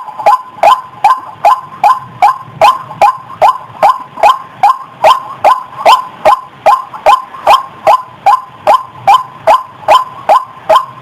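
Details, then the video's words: White-breasted waterhen call played to draw the bird out of bushes: a loud, steady series of short, harsh rising notes, about two and a half per second, continuing evenly throughout. "SUARA PIKATAN RUAK RUAK"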